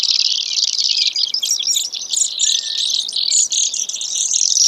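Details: Brewer's sparrow delivering dense, high, rattling trills in quick succession, with short, brighter chip-like accents scattered through the phrase.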